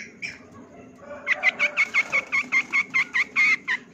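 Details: Champion long-tailed shrike (cendet) singing a full 'isian' song, a tutor recording for training other birds: a fast series of about fourteen harsh, evenly spaced notes after a brief quieter opening, with a faint low hum behind.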